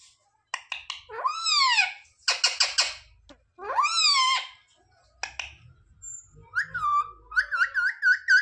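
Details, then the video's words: Talking pet parrot repeating words like "mummy papa" indoors: rising-falling squeaky voiced syllables, clipped clicks, then a series of quick wavering whistled notes at the end. "Parrot talking mithu mithu 😱Mummy papa bolne wala mitthu"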